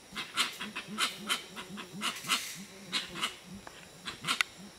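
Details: Gray-winged Trumpeters in the Ecuadorian Amazon at Tiputini Biodiversity Station: a busy run of low, muffled hoots, some overlapping, under frequent loud, scratchy crackles.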